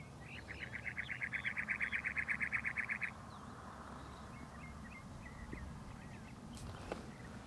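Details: A cactus wren on a cholla in McDowell Mountain Park gives a harsh, grating rattle of about fifteen rapid, even chugging notes over three seconds, then faint chirps of other birds over low rumbling.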